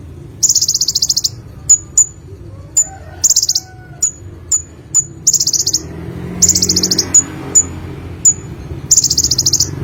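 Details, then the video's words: Singing olive-backed sunbird (Indonesian konin): bursts of rapid, high-pitched trilled notes alternating with clear, piercing single tsip notes, the trills recurring every few seconds in a quiet background. "BURUNG KONIN SUARA GACOR FUL MATERI 100% JERNIH || KOLIBRI"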